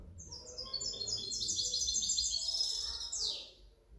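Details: A goldfinch hybrid from 2019–2020 delivers a dense run of rapid, high twittering notes that build into a bright rolling trill, closing on a quick descending slur, over soft low background noise.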